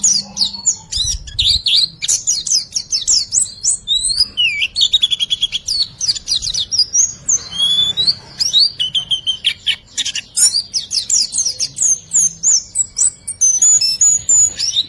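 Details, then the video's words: White-eye singing in a recording meant to coax silent birds into song: a long, busy stream of shrill chirps, rapid trills and swooping whistles with short gaps, lively and unbroken. "MASTERAN RIWIKAN FULL ISIAN || WIKSAR NGPLONG || PANCINGAN BURUNG BISU"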